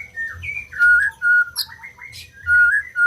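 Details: Clear, flute-like whistles from a white-rumped shama, some held steady and others gliding, broken by a few brief higher chips. The song is played to coax silent birds into singing.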